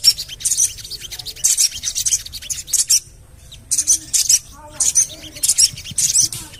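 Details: Javan cochoa calls played as a lure to get birds singing: bursts of sharp, high chirps, 'cuit cuit cuit', repeated about twice a second in short clusters, with brief pauses and faint low whistles underneath.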